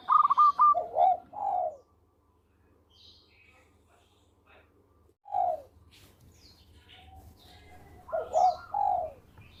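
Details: Local zebra dove singing steadily, melodious voice used for luring birds: soft rolling coo phrases in three bursts with quick clipped notes, long quiet gaps between, faint high chirps of other birds behind.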